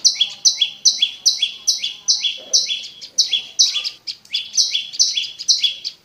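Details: Prinia known locally as prenjak lumut, its song used to stimulate caged birds: steady string of two-part chirps, high buzz dropping to a lower slurred note, about two and a half per second, rhythm loosening briefly midway.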